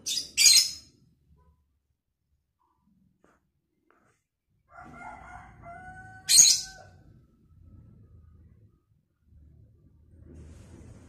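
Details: Lovebird in vocal training giving a quick pair of shrill screeches, then another loud shriek later, with a drawn-out tonal call from another bird and soft background rustle between them.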